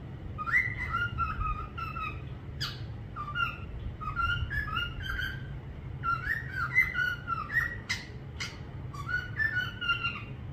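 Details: A parrot gives repeated paired whistles, a higher note and then a lower one, in chattering sequences. Occasional sharp clicks and squeaks are mixed in.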